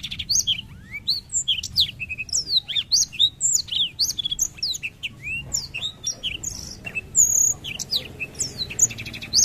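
A black-throated canary sings without pause, a fast tumbling run of high, sweet slurred whistles and twittering trills. A faint low hum sits underneath.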